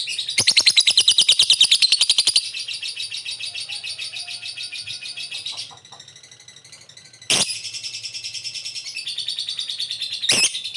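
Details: Lovebird calling with ngetik ticking and ngekek chattering, used as a lure to prompt a quick response: fast, high, rattling pulses for over two seconds, a quieter buzzy stretch, then a sharp harsh note and a renewed trilling chatter.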